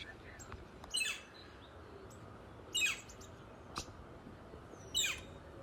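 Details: A female Northern Flicker, possibly calling for a mate, gives three short, high, squeaky downslurred calls spaced about two seconds apart, over a soft background hiss and a single faint click.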